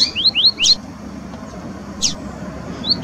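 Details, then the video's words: Wild double-collared seedeaters singing: a rapid series of four rising whistled upslurs ending in a bright buzzy note, then scattered single high notes after a pause, against soft low background noise. "Coleiros cantando na natureza"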